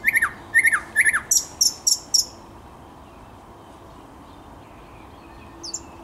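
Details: Thrush nightingale singing on 10 May 2021. Three repeated falling double notes are followed by four sharp, very high notes at a steady pace, then near silence with one faint high note.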